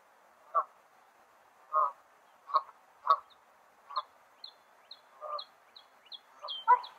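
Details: Mallard ducks giving a series of short, harsh quacks, roughly one every second, with a few thin high chirps slipping in toward the end.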